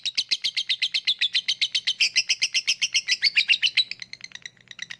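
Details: Lovebird ngekek used to prompt silent lovebirds to sing: dense, rapid chattering of high, grating notes for about four seconds, then breaking into softer, scattered twitters.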